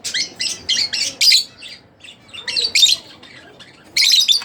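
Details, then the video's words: Rapid series of sharp, squawky chirps from a split blue Fischer's lovebird, grouped in short clusters with brief quiet gaps between them. "Split Blue Fischer | lovebirds chirping | singing Sound"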